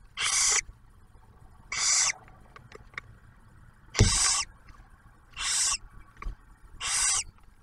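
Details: Barn owl nest near Oak Harbor, Ohio, with the male bringing prey and the female sharing it with the first owlet; five rasping hissed screeches at irregular intervals, mixed with soft clicks and a low thump from movement in the box.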